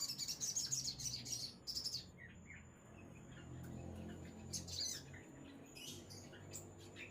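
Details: Ruby-cheeked sunbird with fast, high, sibilant chattering twitters for about two seconds, then scattered sharp high notes and short buzzy bursts over quiet background noise.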